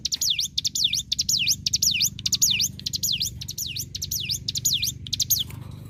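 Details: Hill prinia song recorded as masteran for magpie-robin, leafbird and white-rumped shama: a steady series of high, whistled down-up swoops, each led by quick clicks, about twelve in six seconds.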